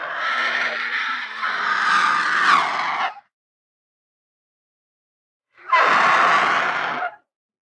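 A vulture gives a long, harsh, rasping hiss of about three seconds, then a shorter rough burst after a pause.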